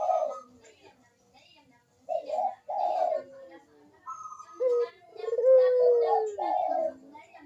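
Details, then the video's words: Barbary dove singing actively, its recording played as a lure to stir reluctant doves into cooing: several low, hoarse coos in broken phrases, with a faint voice-like murmur between them. "KUK DERUK BURUNG PUTER GACOR MANGGUNG"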